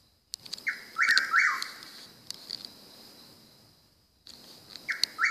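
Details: Possible mockingbird heard every night around 2 AM: short buzzy scratchy notes in quick runs, a gap, then more, over a constant high steady whine.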